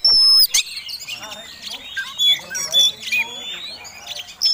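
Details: Oriental magpie-robin (kacer tarung), a fighting bird singing in the ngobra, ngotot style and used as a lure to provoke other birds: a loud broadband burst, then varied high whistles, sliding notes and scratchy chirps.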